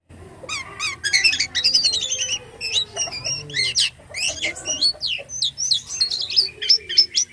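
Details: Jalak kapas starling in full, active gacor song in the isian style: a dense run of quick sharp chirps, trills and high whistled notes, some sliding down, with short pauses between bursts.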